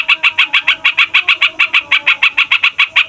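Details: Long, noisy roll from a fighter yellow-vented bulbul, used as a lure for wild birds of its kind: a steady, rhythmic chain of crisp clipped notes, about three to four per second, with faint low tones beneath.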